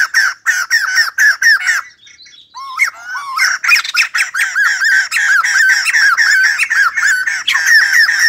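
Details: White-crested laughingthrush singing while dancing like a ballet dancer: a rapid run of harsh, squawky chattering notes, about four per second, broken by a short pause and a few softer rising whistles before the chatter resumes.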